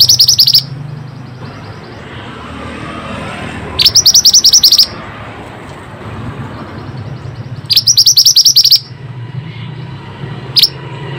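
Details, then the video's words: Pied bushchat singing vigorously, offered as a lure for birds reluctant to sing: three bursts of rapid, high, repeated notes several seconds apart and one lone note near the end, over low steady noise. "Pancingan burung Mantenan gacor ll Cocok untuk burung mantenan malas bunyi"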